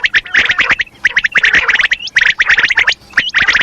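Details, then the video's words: Madi kirak call of a female common quail: loud, fast raspy stutters in tight clusters, broken by brief pauses, with occasional rising hooked whistles. "batair ki awaz madi kirak | quail sounds | female quail calling"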